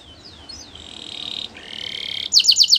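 A Belgian canary sings: thin downslurred whistles, then a sustained high trill, ending in rapid bright repeated notes about four per second.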